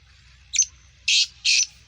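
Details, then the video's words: Black francolin of Sindhi Gangas Sheedi cross stock, its voice described as nasal and speeder, sounds a brief squeaky note then two long harsh rasping blasts spaced about 0.4 seconds apart; quiet background hum. "Speeder Kala Teetar Gangas Sheedi cross Nasal Black Franclion Voice Sindhi Teetar"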